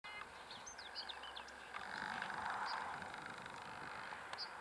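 European greenfinch giving a quick burst of high twittering chirps, then a single clipped note, over a steady hiss of background noise like distant traffic.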